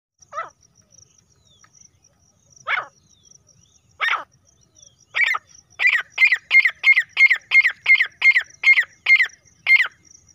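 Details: Female grey francolin, locally called teetar or dekhni teetar: three separate harsh notes about 1.5 seconds apart, then a rapid run of about twelve rasping notes at roughly three per second, over a steady high insect whine.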